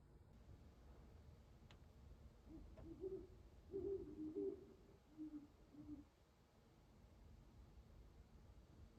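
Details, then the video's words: Just before dawn at an ice-covered pond in Carver, Massachusetts, an owl ending its night of hunting gives a short cluster of low hoots midway through, several run together, then trailing off into near silence with faint background hiss. "Owl Hooting That Night is Over Just Before Dawn"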